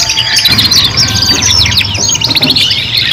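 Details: Canaries in a three-bird group song meant for tutoring young canaries: continuous busy high-pitched trilling and fast twittering runs layered over one another, with a faint low hum in the background.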